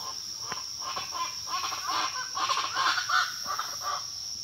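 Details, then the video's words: Raucous chorus of the pava guacharaca (chachalaca): a string of harsh, cackling notes that grows louder toward the middle and tapers off, steady high insect whine behind. "El Canto De La Pava Guacharaca"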